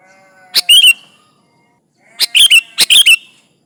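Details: Sooty-headed bulbul giving rival-calling song used as a lure: two quick bursts of sharp, bright chirping notes, the second a doubled phrase, with faint soft whistles in the background.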